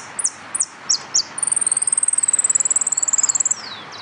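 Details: Saffron finch singing in a singing contest at Nuevo Irupe, dated 22 09 13: a few high, sharply falling notes, then a fast, even, very high trill lasting about two seconds, ending in a short fading slur.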